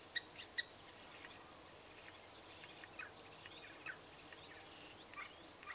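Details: A common starling at Milovaig, Glendale, Isle of Skye, imitating a neighbour's dog and flicking its wings with each yap, gives short sharp bark-like notes spaced irregularly against steady background hiss and faint chirps.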